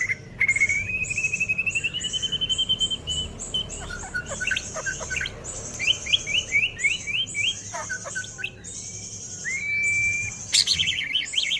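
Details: Young male white-rumped shama, six months old and hatched 12 October 2024, still pushing its tail while singing: a long rising whistle, rapid chattering notes and varied sweeps, over steady high buzzing insects.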